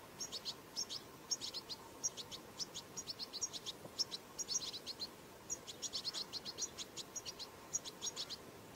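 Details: European goldfinch (çipil saka) nestlings begging with quick, high, sharp chirps clustered in little runs, nearly continuous for the whole stretch, with a soft background hiss.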